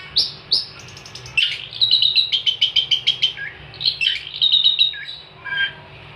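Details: Long-tailed shrike (cendet) singing for songbird training: two clear upslurred whistles open, followed by a rapid series of harsh clicking chatter notes and a varied, mimic-like warbling phrase, then a final short descending note.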